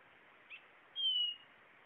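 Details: Blue-naped chlorophonia giving one pure, drawn-out whistle that drops slightly in pitch, after a faint short note. The background is otherwise quiet.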